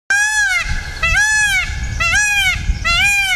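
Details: Indian peafowl from a wild, non-native group living in Tasmania: four loud, nasal, arched wailing calls, each about half a second long and rich in harmonics, given roughly once a second with short gaps between them.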